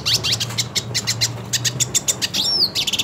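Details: Hooded siskin, purebred and wanting to fight another siskin, gives quick high chirps in an uneven series and then a long, clear rising-falling whistle, over a continuous low hum.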